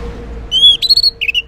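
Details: Orange-headed thrush song in the morning, used as a lure so silent males answer: a short phrase of clear whistled notes, a level tone followed by quick higher slurred whistles, over a faint steady hum.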